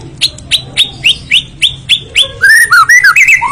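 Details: White-rumped shama song: a series of eight evenly spaced rising whistled notes, about four per second, breaking into a rich run of warbled, looping whistles.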